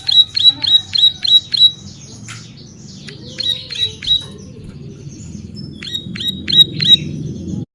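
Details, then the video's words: Bar-winged prinia song recorded for tutoring and luring: three separate bursts of quick, high, piercing chips, broken by softer rustling and a rising low background noise. "Ciblek Sawah Gacor Cocok Buat Masteran dan Pikat"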